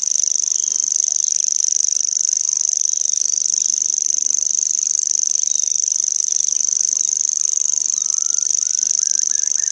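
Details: Sustained cricket-like reel from a common grasshopper warbler, rapid uniform pulses at a very high pitch holding steady throughout; near the end another bird adds a short series of rising whistled notes.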